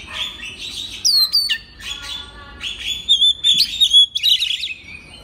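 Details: Oriental magpie-robin master song meant to start other magpie-robins singing: steady high whistled tones and clear piping notes, then a rapid run of loud chirps and slurred whistles near the end.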